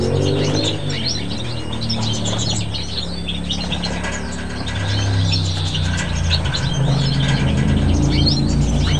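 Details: Wintering flock of bramblings on Chios, Greece, giving a dense chatter of short, high chirps, several every second, over a steady low engine-like rumble.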